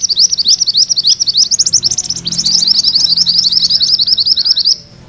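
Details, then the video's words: Mantenan kuning singing its full rolling song for magpie-robin training: an unbroken stream of quick, shrill, wavering notes for nearly five seconds, then an abrupt stop. "Suara MANTENAN KUNING ngerol"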